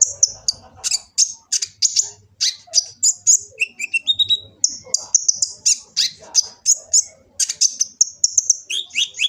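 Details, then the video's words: From Gresik, East Java, a kolibri ninja sunbird delivers a full varied song meant for tutoring caged birds, phone-recorded: continuous stream of piercing high chirps, a few lower whistled slurs, faint low background hum. "Kicau burung kolibri ninja full isian"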